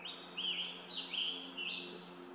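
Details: Wild scarlet tanager singing at Stony Brook Audubon Wildlife Sanctuary, south side trail, recorded on a Nikon Coolpix P1000: a fairly distant series of four burry phrases, each stepping up then slurring down, spaced about half a second apart.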